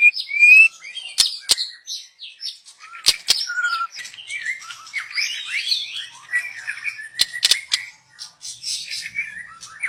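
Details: Wild young white-rumped shama used for luring: a clear rising whistle opens a long, varied song of chattering, warbled and mimic-like notes, punctuated by sharp clicks throughout.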